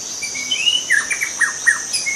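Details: Young wild White-rumped shama in forest giving a long level whistle followed by several sharp downslurred notes in quick succession, with a high insect hum underneath.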